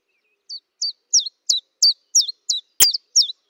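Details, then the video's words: Common chiffchaff calling at a kitchen window in Eibar in early March 2018. A fast, even run of about nine bright, high, hooked notes, roughly three per second, broken once by a sharp click. "Txioa (Phylloscopus collybita)"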